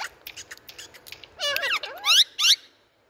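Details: Indian parrot giving harsh, strongly bending, harmonic squawks. Short chatter and squeaks build into three loud rising-and-falling screeches near the end, followed by silence.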